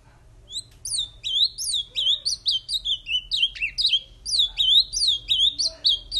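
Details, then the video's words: Caged male ultramarine grosbeak, brought back to sing just after mating, delivers loud, fast whistled phrases of sharply rising and falling notes, packed almost continuously with brief gaps over a faint low hum. "Azulão Maluco"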